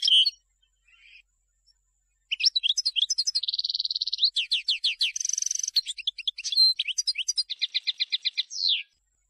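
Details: Selected European goldfinch song for teaching fledglings: a long, varied phrase of rapid twitters mixed with a nasal buzzy note, a dry rattle and a metallic trill, ending in a rising slurred note.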